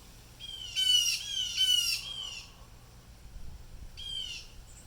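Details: Blue jay distress call: two harsh, buzzy squawks in quick succession, each dipping in pitch, followed after a pause by a fainter third squawk.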